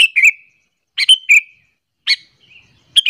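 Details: Sooty-headed bulbul, calling to lure and anger other bulbuls; four brisk bubbly chirp phrases with slightly descending whistled tails, spaced less than a second apart.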